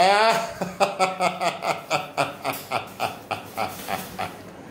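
An Umbrella Cockatoo opens with a harsh, voice-like squawk, then gives a steady run of clipped, raspy chuckling notes, about four per second, fading gradually.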